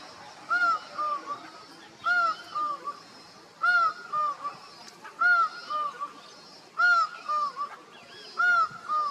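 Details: Laughing falcon in Costa Rica calling others, giving a steady run of paired calls: a bright arched note, then lower, softer echoing notes, repeated about every 1.6 seconds, six phrases in all.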